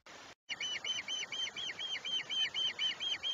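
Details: Osprey at a nest on the Chesapeake in July: a fast, steady series of sharp, high, chirping whistles, each note slurred up and down, repeated about twice a second.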